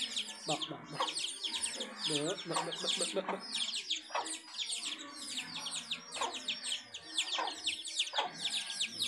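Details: House hen with chicks: continuous high downward-slurred peeping from many chicks, with repeated lower clucks from the hen, several grouped near the start and others spaced later.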